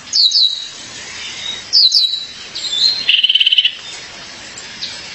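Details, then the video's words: A female violaceous euphonia, calling her mate, gives two sharp double chips, then a thin whistle and a rapid buzzy trill of even pulses lasting over half a second. "Fêmea de Guriatã, chamado seu parceiro."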